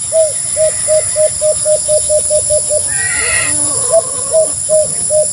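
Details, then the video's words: A white-eared brown dove gives a run of low, hollow, evenly spaced notes, about two each second, broken by a short burst of another call, over a steady high insect hum. "white-eard brown-dove sound effect"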